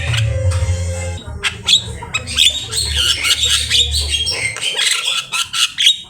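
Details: Javan myna delivering a varied, harsh song of squawks, chattering clicks and scratchy whistled notes in irregular bursts, over a steady low hum.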